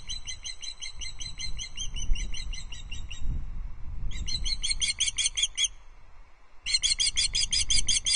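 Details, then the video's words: Female osprey at Loch Arkaig alarm calling at an intruder osprey, 5 August 2022; three bouts of rapid, harsh, high piping, each a second or more long, separated by brief silences. "Intruder Osprey caught on Loch Arkaig Osprey nest cam: Dorcha alarm calls from the perch"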